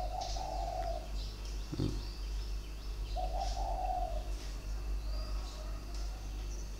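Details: Spotted dove with a tight, sharp voice, caged and singing in the three- and four-note style, 23 February 2020. Two clear cooing phrases about two and a half seconds apart, with a knock, scattered distant chirps and low hum.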